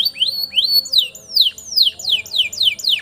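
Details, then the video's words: Canary long-roll master song for tutoring young birds: a tour of clear, sweeping downslurred whistles repeated about three times per second, each note sliding from high to lower pitch. "KENARI NGEROLL PANJANG UNTUK MASTERAN KENARI PAUD"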